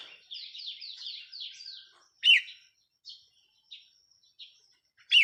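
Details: Decoy red-whiskered bulbul on 4 May 2023 pours out a quick run of descending, slurred notes. Then come separate loud, rich phrases and softer chirps at intervals of roughly a second.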